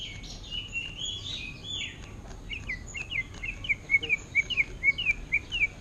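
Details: Greater green leafbird copying orange-headed thrush song in ngentrok style: a few slurred whistles, then a steady series of short, clipped, up-and-down notes repeated about twice a second.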